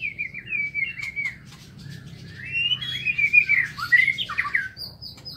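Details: Caged White-rumped shama in an aviary singing in the morning. A smooth whistled opening gives way to a louder, richer cascade of warbling notes, closing with a high thin whistle.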